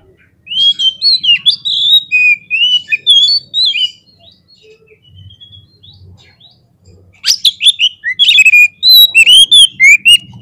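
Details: Oriental magpie-robin (kacer) song meant to provoke rival birds: loud varied whistles, then a quiet spell with low buzzing, then a burst of sharp chips and whistled slurs. Low droning hum throughout.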